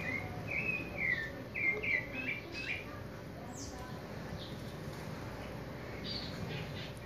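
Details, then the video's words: A Creamy-bellied Thrush practises its song category in short warbled, slurred phrases, then softer high notes, over a steady high insect hiss and low background rumble. "SABIÁ POCA ENSSAIANDO CATEGORIA DE CANTO !"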